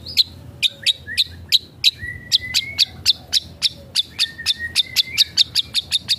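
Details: Long-tailed shrike, known locally as cendet or pentet, singing vigorously with imitations of other birds: a fast series of sharp, clipped high notes, about three per second, with a long level whistle running beneath the middle part and a low hum behind.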